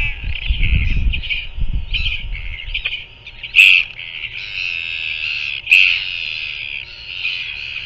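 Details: Royal albatross chick and feeding parent, recorded by nest camera in New Zealand, February 2024 evening: low rumbling thuds, then broken squawks with two sharp, loud accented notes and a long, wavering call.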